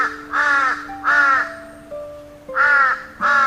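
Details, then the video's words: Crow giving hoarse 'kar-kar' caws: four harsh, rasping bursts spaced irregularly over a few seconds, set against steady background music tones. "Слухай, як ворона «капає» у вухо своїми хриплими «кар-кар»"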